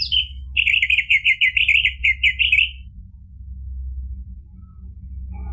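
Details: Orange-headed thrush singing loudly as a lure to rouse a reluctant bird: a fast string of about a dozen rich, slurred whistled notes over two seconds, followed by near silence with a steady low hum.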